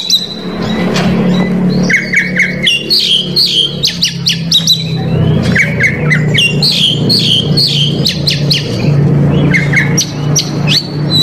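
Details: Oriental magpie-robin in Indonesia, singing a bait song full of varied filler phrases to provoke rival males: bursts of sharp whistles and chattering notes over a steady low hum, with short repeated whistled phrases near the start.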